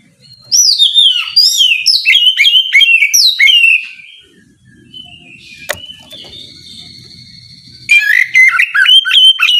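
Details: Oriental magpie-robin in morning ngeplong song that provokes rivals to reply: repeated loud descending whistled phrases for about three seconds, a quieter interval with a sharp click and a steady high tone, then a renewed burst of slurred whistles.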